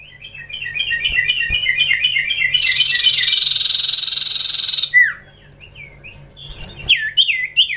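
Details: Young common iora under training starts with stuttering chirped notes running into a dense buzzy trill, then a drooping slur and scattered short rising whistles.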